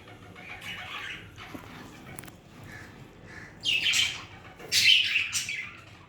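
Budgerigars chirp and chatter in quick, bright, scratchy bursts.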